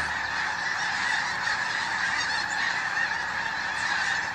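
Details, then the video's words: Snow geese, a large flock present in a hunting setting, giving a dense continuous chorus of overlapping honking calls with no pauses between voices. "Snow geese"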